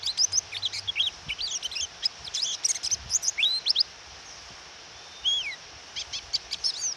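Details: Female white-eye calling to provoke a male into singing, with rain: bursts of high, thin twittering chirps and sliding whistled notes in quick runs with short pauses, over a steady hiss of rain.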